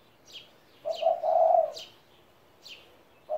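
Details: A 17-year-old pet spotted dove gives a single low, mellow cooing phrase lasting about a second. It starts with a short note and swells into a longer, louder hum. Faint high chirps from other birds sound before and after it.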